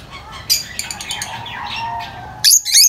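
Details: Lovebirds making high-pitched chirps, a scatter of quick notes followed by a loud harsh burst near the end.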